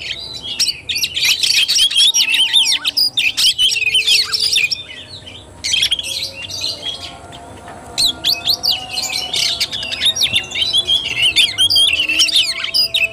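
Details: Oriental magpie-robin, 17 August 2021, singing in the tarung fighting style. Long bursts of fast, scratchy, high warbling and mimic-like chatter alternate with quieter pauses of a second or two, about 133 notes a minute.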